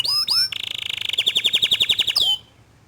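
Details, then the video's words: Young canary, kenari paud, singing in response after hearing another canary's gacor song: two quick rising whistles, then a long steady rolling trill of rapid repeated notes, closing with a falling whistle. "Kenari Paud Kenari Bahan Langsung Respon Setelah Dengar Kicauan Kenari Gacor Dor Ini"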